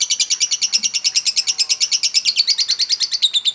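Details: Lovebird giving a long ngekek chatter used to provoke other birds into singing: rapid, even train of high buzzy notes, about three per second, running steadily without pause, slightly falling near the end.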